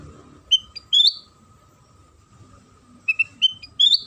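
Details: Lure song of a sooty-headed bulbul meant to make other bulbuls sing: a quick phrase of whistled notes ending in a rising slur, a pause of about two seconds, then a similar four-note phrase.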